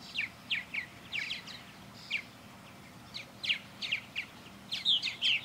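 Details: Backyard purple martins flying around their birdhouse on a clear day; rapid, throaty chirps repeated almost three times a second in uneven bursts, ending in a louder warbled cluster.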